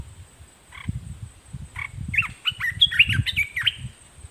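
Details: Decoy Olive-winged Bulbul, caged, singing toward wild birds. A couple of short chirps lead into a tumbling phrase of bright, slurred whistles. A low rumble and a constant high whine continue underneath.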